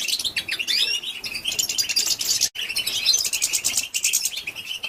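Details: Female European goldfinch calls, used to stimulate and excite males: dense, high, rapid twittering chirps and trills that run almost continuously, broken once by a brief silence midway.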